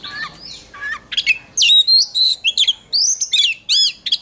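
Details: Contest-style song of an oriental magpie-robin in voice training: a rapid, varied run of loud whistles, trills and squeaky slurred notes, starting softer and becoming an intense burst of sharp phrases.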